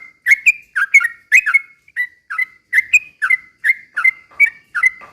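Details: Yellow-vented bulbul (trucukan) in lively slow 'ropel' song, used as a lure to make other birds sing and get agitated; short bubbly whistled phrases, falling then steady, repeated about twice a second without pause.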